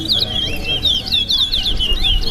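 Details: Towa towa birds in a whistling competition at Linden Town Day, Guyana: loud, clear whistled phrases with swooping, warbling notes following one another rapidly, with faint music in the background.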